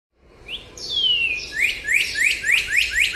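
A cardinal gives a short upslur and a long, clear whistle sliding downward, then a quick run of bright rising notes about three per second.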